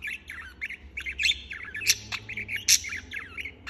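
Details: A budgerigar chirps without pause, running chatter of small warbled syllables punctuated by two loud, sharp squawks.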